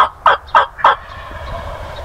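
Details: Male wild turkey gobbling in a spring snowstorm while hunters pursue it: three loud, rattling gobble pulses roughly a third of a second apart, then a quieter fading tail over low background rumble.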